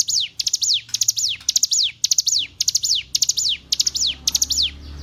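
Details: Tutor recording of hill prinia song for training caged songbirds: high, clicky phrases that each drop in a steep descending whistle. They repeat about twice a second without a break over a faint low hum.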